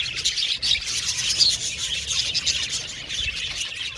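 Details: Budgerigar aviary colony giving rapid high chirps with a few clear whistled notes standing out over constant overlapping twittering.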